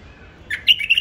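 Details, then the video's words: Home-bred, trained hybrid bulbul giving a quick run of clear, whistled chirps that step up in pitch. "بلبل مهجن من أنتاجي وتخريجي"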